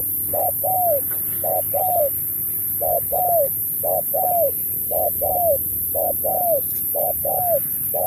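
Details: Spotted dove in a 2024 singing contest, 'lối Thúc kèm Bo' song: about ten regular two-part phrases of a short hoot and a longer drooping coo, spaced evenly over low rumble and high hiss.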